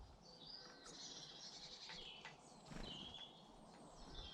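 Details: British garden birds: thin high whistles and chirps scattered across a few seconds, including a clear downward whistled note late on, over soft steady outdoor background noise.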